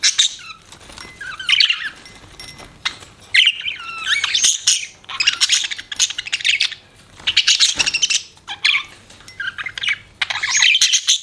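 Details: Pet budgies chirping in separated bursts: high twittering, rasping warbles and thin whistled squeaks, with short silent gaps between phrases.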